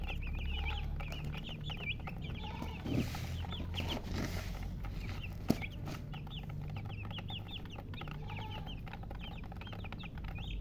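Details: Baby chicks peeping continuously, many short high chirps overlapping in a busy chorus, a few louder knocks and bumps midway, steady low rumble of background noise throughout.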